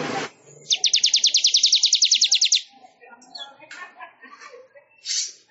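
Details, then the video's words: Manyar weaver song for songbird training: a sustained rapid rattle of about twenty-five crisp buzzy notes over two seconds, followed by scattered soft chips and a final short harsh burst. "Suara Ocehan Burung MANYAR"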